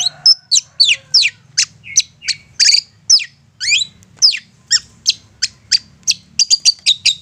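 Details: Long-tailed shrike giving an insistent provoking song: a varied string of sharp, steep up- and downslurred whistles and chips in quick succession, ending in a dense burst of high ticking notes; quiet hum beneath.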